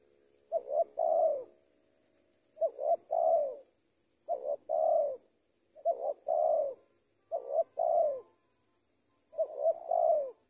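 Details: Decoy-trained spotted dove repeating the same hollow phrase six times, a short note then a longer rounded coo, roughly every one and a half to two seconds, with a steady faint high whine.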